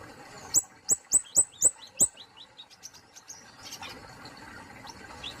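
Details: Kemade polos, an Indonesian songbird, delivering six loud, piercing high chirps that drop in pitch, about one every quarter second, then a softer rapid series of thinner notes fading into quiet hiss.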